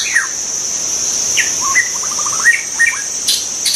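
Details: Wild white-rumped shama giving separated whistled notes, then a rapid stuttering run of short rising notes, over a steady high insect whine.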